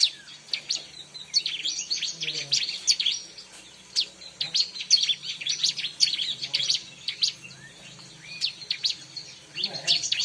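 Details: Bar-winged prinia (ciblek) lure recording: sustained, energetic high-pitched chattering of rapid sharp chirps and trills, continuing in uneven bursts for about ten seconds.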